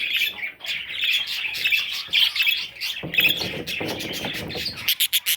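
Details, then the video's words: Parrot chicks twitter in a high, grating chorus, then end with a quick run of sharp, evenly spaced chirps. "Baby Parrots – Sweet Little Chicks!"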